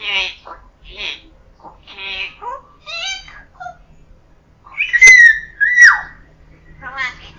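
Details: A pet common hill myna under a year old mimics Thai speech, such as greetings and "hello", in hoarse, human-like syllables and short phrases, then breaks into a loud, piercing whistle and a shrill squeal.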